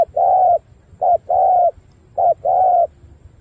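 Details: Spotted dove giving a repeated coo phrase: a short note followed by a longer, level hollow coo, repeated three times about once a second.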